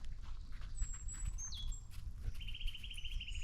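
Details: Eurasian nuthatch calling on a windless winter day after overnight snow, 8 February 2024: thin high whistled notes, a falling note, then a longer, slightly wavering mid-high note, over low crunching from a dog munching a snack.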